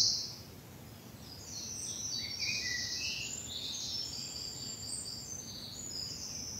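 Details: Morning birdsong in a spring bluebell wood in the South of England, somewhat distant: scattered high chirps and short trills over noticeable steady low background noise.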